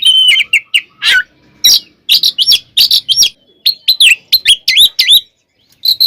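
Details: Oriental magpie-robin in loud, continuous fighting song meant to provoke other magpie-robins into agitation. Rapid bursts of sharp whistles, wavering trills and abrupt chirps, mostly high-pitched, tumbling one after another with brief pauses.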